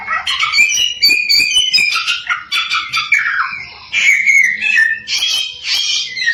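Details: Samyong in energetic lure song to make other samyong sing along; tumbling whistles and buzzy, broken chatter in quick succession.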